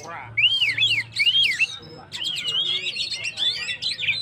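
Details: In energetic 'gacor' song meant to provoke stressed birds, an Oriental magpie-robin gives looping, wavering whistles, pauses briefly, then continues with quick warbled phrases. A low hum lies underneath.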